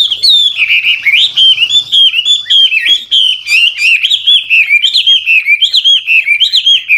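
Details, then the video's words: An old wild-caught Chinese hwamei delivers continuous varied, warbling song to prompt new birds to sing; loud, clear whistled phrases run without pause, each note swooping up and down, with a low murmur briefly beneath the opening. "Tiếng chim họa mi mồi già rừng hót luyến láy đảo giọng liên tục, giúp kích chim bổi nhanh hót"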